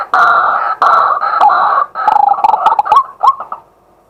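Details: Loud, raucous chattering from a male white-breasted waterhen by day, recorded live with a fixed camera: harsh grating bursts with short gaps, then quicker choppy notes ending in a few upslurred kwaks.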